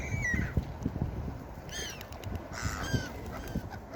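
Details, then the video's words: Seagulls at the beach: a short call near the start, then two loud, ringing, harmonic calls around the middle and just after, over a steady low rumble of surf. "Seagull Beach Sound Effect"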